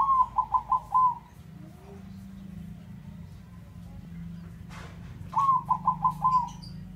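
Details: Male bangkok zebra dove giving two cooing song phrases, each a rapid series of about five pure, ringing notes, separated by a few seconds of low background hum.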